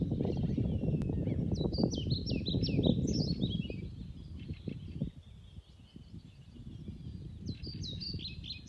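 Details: European pied flycatcher singing a quick phrase of high, sweet, jerky notes, repeated near the end over low rumbling, in pasture meadows at Stornäset nature reserve, Alnö, Sweden, 20 May 2020; Lesser spotted woodpecker drumming, wryneck and chaffinch also heard.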